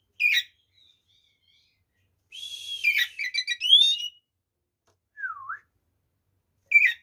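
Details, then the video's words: Oriental magpie-robin fighting song meant to rile other birds: sparse bursts, a buzzy chattering run of rising whistles, then a lone dipping whistled note and short sharp chips separated by long silences. "SUARA BURUNG kacer gacor TARUNG FULL ISIAN ini PALING AMPUH MEMBUAT KACER EMOSI"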